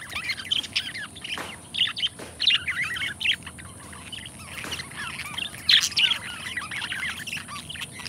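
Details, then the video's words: Pet budgies, a bonded pair, warble nonstop with a dense jumble of twittering squeaks, chirps and scratchy notes, interrupted by a few brief clicks. "ASMR Nature 2 Hours of Budgie Sounds: Birds Singing You to Sleep"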